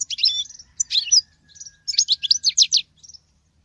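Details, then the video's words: Female European goldfinch singing much like a male, fast twittering and tinkling high phrases, a faint drawn-out whine, then a run of rhythmic chirps. "Femelle chardonneret qui chante que le mâle l c'est bizarre !!!"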